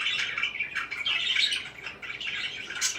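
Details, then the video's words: Parakeets chirping together in a continuous, busy chatter of overlapping high twitters and warbles with no pauses, several birds calling at once. "BEAUTIFUL CHIRPING NOISES"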